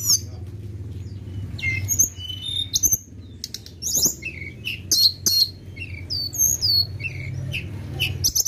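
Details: Flowerpecker, used as a lure call, gives thin, high, sharp chips and short squeaky whistles in quick irregular bursts, over a low steady hum.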